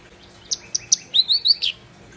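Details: Black-browed reed warbler in vigorous song: a few sharp high chips, then a run of rising, slurred whistled notes ending in a harsh buzzy flourish.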